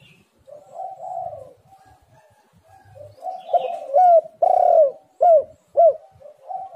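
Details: Spotted dove cooing, used to prompt doves to call. Soft rolling low coos build into a series of loud, arched, clipped notes, ending in another gentle burry coo.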